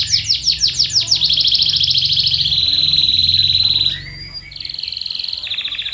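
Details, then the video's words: Lure song of a canary for prompting silent birds to sing: quick repeated notes that run into a long, loud, rolling trill, a brief slurred note, then a softer trill. "Is Your Canary Silent⁉️🤫 Try This MAGICAL LURE for 5 Minutes!"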